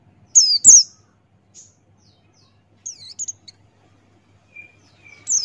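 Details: Buxtoni white-eye singing in the gacor ngalas style, beak wide open, recorded as a tutor recording for training birds: sharp, high, downslurred chirps in short bursts with long silent gaps between them.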